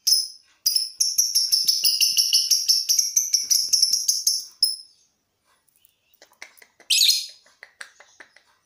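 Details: Lovebird contest practice aimed at a longer ngekek: a fast series of ringing high notes, about four per second, sustained for roughly four seconds, then silence, faint ticks and one short harsh buzzy burst.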